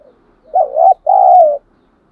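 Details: Spotted dove decoy calling to lure, thổ sấm voice: a single clear two-note coo, a short wavering hoot followed after a brief gap by a longer level one that fades downward.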